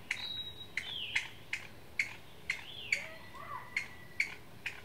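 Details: A single Chinese bamboo partridge at Qingjing, Nantou, on 6 July 2017, gives sharp, clipped alarm notes about twice a second, steady and insistent, while other birds whistle and slur faintly behind.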